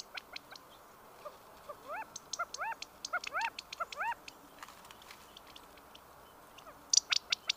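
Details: California quail calling: a quick run of short arched notes rising then falling, clustered in the middle seconds, with sharp dry ticking clicks before and after against a quiet hiss.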